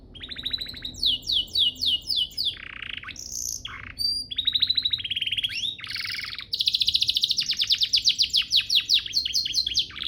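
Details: Canary master training song: series of rapid downslurred notes, short whistles and buzzy bursts, ending in a long fast rattling trill.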